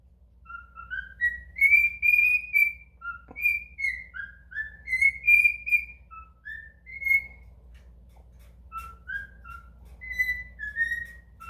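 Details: A cockatiel sings made-up songs: a warbling run of clear whistled notes that step up and down in pitch.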